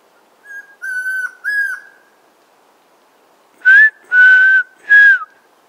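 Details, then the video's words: A territorial Chestnut-crowned Antpitta near Tandayapa Bird Lodge, Tandayapa Valley, north-west Ecuador, answers whistling with two sets of three clear, level whistled notes. The first set is softer, and the second is louder and fuller. "Chestnut crowned Antpitta"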